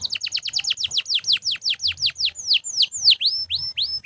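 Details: Canary singing, used to train other birds; a fast series of clear downward-sweeping whistled notes, about seven per second, slowing toward the end into broader swoops, with faint low background hum.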